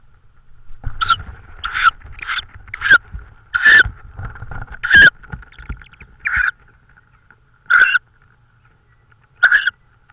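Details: Tawny owl in Estonia on 16 May 2013, evening, around prey deliveries: a run of short, hoarse, rasping shrieks, some clustered and some spaced a second or more apart, over a steady faint hum.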